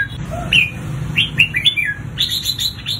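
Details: A red-whiskered bulbul sings in fighting or competition style, with bright, liquid whistled phrases and short slurred notes in quick bursts, over a low indoor hum.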